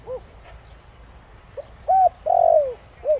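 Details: Thổ Đồng-style spotted dove coo meant to provoke wild doves into answering: a short closing note, a pause, then a full phrase of a brief soft note, an arched coo and a long falling coo, ending on a short note.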